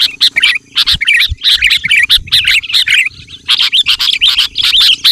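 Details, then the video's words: Chattering song of sooty-headed bulbul, played to lure wild bulbuls: bubbly, jerky phrases in tight bursts with short silences, over a faint low steady hum. "Suara Burung Kutilang Gacor Memanggil Kutilang Liar"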